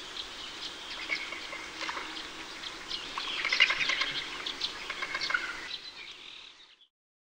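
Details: Iberian griffon vulture chattering in quick, dry, rattling pulses that swell midway and trail off, over soft outdoor noise with occasional high chirps, ending abruptly in silence.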